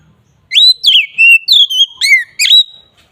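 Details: Ngeplong-style song of an Oriental magpie-robin used as a lure: a rapid sequence of pure whistled notes, swooping down and up, with one long held tone in the middle.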